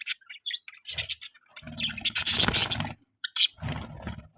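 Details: Budgies give scattered squeaky chirps, then a loud harsh burst of chatter with rough broadband scraping, followed by a brief gap and more buzzy chirping.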